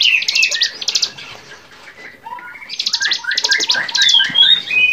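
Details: Bar-winged prinia song on a training recording for songbirds: bursts of rapid buzzy, high trilled notes alternating with short whistled chirps and slurred notes, busy and varied with brief quieter gaps.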